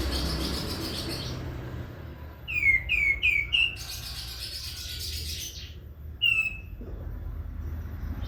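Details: A prinia sings vigorously: a tight run of four bright, downslurred whistles, a pause, then one more single whistle, over a steady low background hum.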